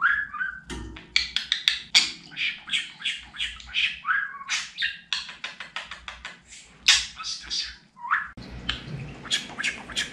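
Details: Pet budgerigar talking indoors: a dense, fast stream of scratchy chattering syllables and mimicked speech-like phrases, with short whistled slides and clicks, nearly continuous for ten seconds, with low room hum underneath.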